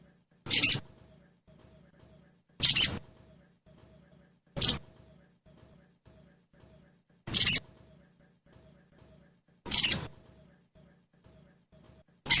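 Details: A sogon (crested jay) lure, said to get caged birds responding quickly: six brief, very high, hissing single chirps, spaced about two to two and a half seconds apart, in otherwise complete silence.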